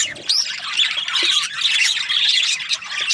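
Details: Cheerful budgie chirping: bright high chirps, short rising whistles and scratchy warbling chatter run together almost without break.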